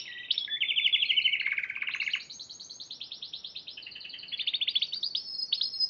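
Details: Piala Raja champion Spanish Timbrado canary, March 2014, sings a loud, rapidly pulsed roll of about three beats a second. It moves into higher continuous trills and rising whistled accents.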